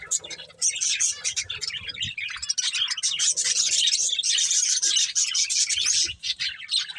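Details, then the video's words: Budgerigars feeding on corn: a steady stream of rapid scratchy chatter and high twittering notes, several birds overlapping, with faint rustles. "Cute Budgies Enjoying Eating Corn | Love Birds Chirping Sounds"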